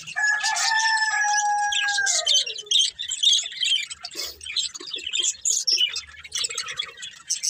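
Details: Budgerigars from a breeding pair: a couple of steady whistled tones sliding downward open, followed by irregular high scratchy chirps and warbles, roughly two a second.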